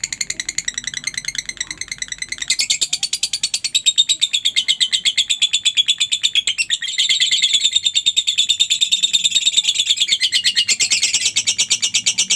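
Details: Extended run of lovebird chattering, softer at first, then loud, dense and buzzy, with rapid pulsed notes and pitch wobbles; meant to set quiet lovebirds calling back.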